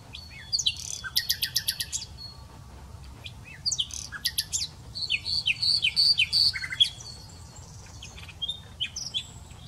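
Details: A common nightingale sings rapid, varied phrases of fast rattling trills, sharp chacks and rich repeated whistled notes, with short pauses between bursts.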